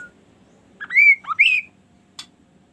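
A kaso-kaso bird gives a short, clear whistled phrase of three or four sliding notes, rising then falling, followed by a single sharp chip.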